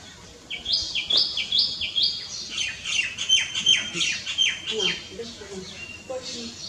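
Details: Common myna (Acridotheres tristis) giving a lively run of high whistled and chirping notes, many dropping in pitch, repeated about two or three times a second with faint lower chatter underneath.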